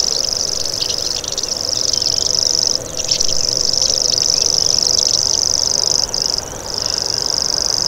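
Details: Long, high, rapid reeling trill of a common grasshopper warbler, dipping briefly in loudness twice as the bird shifts, with thin background bird calls throughout.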